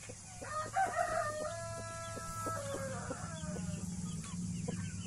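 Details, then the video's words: Blue mother hen with her Australorp and Brahma chicks, giving a run of harmonic, tonal calls that slide gently downward in the first three seconds, followed by softer scattered clucks and chick peeps over a low background hum. "Blue MOTHER HEN with her CUTE baby chickens *australops+Brahma ckicks"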